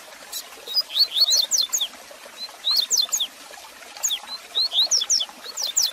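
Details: Double-collared seedeater singing, meant to excite a caged male: quick phrases of piercing high whistles, each a string of about eight sharp up- and down-slurred notes, repeated three times with brief pauses and light hiss.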